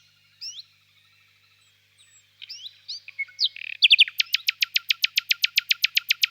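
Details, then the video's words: ['On a warm spring evening in a birch grove, a distant nightingale gives scattered upslurred chirps that speed up into a loud regular series of about fifteen sharp, clicking notes.'] "Пение соловья"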